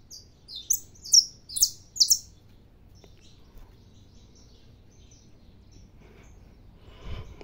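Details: Brief burst from a caged saffron finch at dawn: four loud, high, sliding notes in about two seconds, followed by quiet with faint soft chirps and a low thump at the end.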